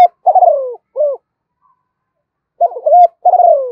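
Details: Spotted dove cooing in the 'thổ pha' voice style, mixing urging and calling coos used to train a young bird; buzzy stuttered notes slide into a drawn-out falling coo, then after a pause the phrase starts again.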